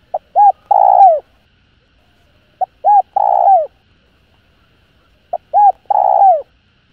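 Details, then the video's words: Calling spotted dove, used to stir other doves: three even phrases about every two and a half seconds, each a brief pip, a short hollow coo, then a drawn-out rough croo falling in pitch. "Tiếng Cu Gáy GỌI +THÚC Kích Bổi Nhanh Nổi. Cu Gáy.Cu Đất Gáy hay"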